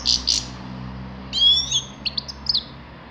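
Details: Grey-crowned goldfinch giving high, liquid twitters and a drawn-out sliding whistle, followed by several quick clipped chirps, over a faint low hum.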